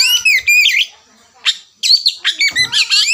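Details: Kacer lure song, the ngerewek type of the oriental magpie-robin: shrill, tumbling whistles and scratchy chatter in quick phrases, a short gap, then another rapid burst of notes.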